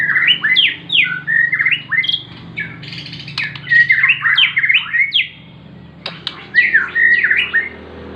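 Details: Bornean white-rumped shama singing a varied run of loud whistled phrases, rising and falling slurs and quick chirps in bursts, with a soft low hum in the background.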